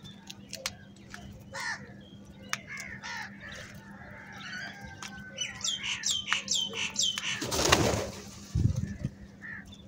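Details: Crows fighting for food: a series of harsh, nasal calls repeated roughly once a second, rising in intensity midway, then a loud broadband rush, with small birds chirping and a low steady hum behind.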